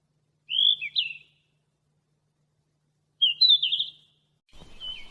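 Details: A Yellow-rumped flycatcher in Bogor sings two short, sweet phrases about three seconds apart, quick warbled notes that slur up and down, then a faint rustle.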